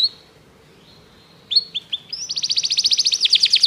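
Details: Canary training song: after a faint opening note and a pause, a few short falling whistles lead into an accelerating bright rolling trill over soft background noise.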